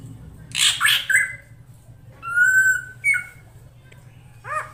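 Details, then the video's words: Female drongo calling to entice a male: a harsh scratchy burst, a long clear whistle, a short bent note, then soft arched notes, over a low background hum. "SUARA BURUNG SRIGUNTING BETINA UNTUK MEMANCING SI JANTAN AGAR CEPAT GACOR"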